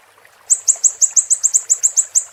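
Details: After a half-second of quiet, a Siri-siri starts a brisk series of about twelve shrill, high chirps, evenly spaced, in a training recording for cage songbirds.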